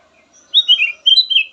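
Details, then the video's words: Kutilang emas, the black-naped oriole, delivering two quick connected runs of liquid whistled notes, slurring down then up, in a brief melodious phrase. "VARIASI KICAUAN BURUNG KUTILANG EMAS SYAHDU DAN COCOK BUAT PANCINGAN"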